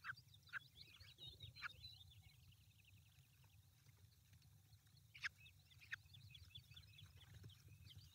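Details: Peregrine falcons with their chicks on an April 2020 morning in the Barycz Valley, Poland; faint rapid series of high, chevron-shaped calls run on and off, broken by a few sharper, louder notes, over a steady low rumble.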